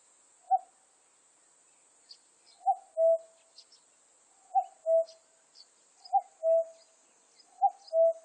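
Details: Common cuckoo giving its two-note cuck-oo, a higher first note dropping to a lower, longer second, repeated four times at uneven gaps; faint high chirps of other birds or insects and a steady high hiss behind.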